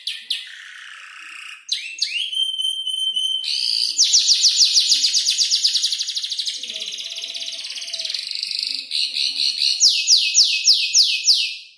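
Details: Young canary, about five months old, mimicking other birds while assembling its song: a long, thin whistle, then dense buzzy trills and fast repeated high notes, with faint background noise.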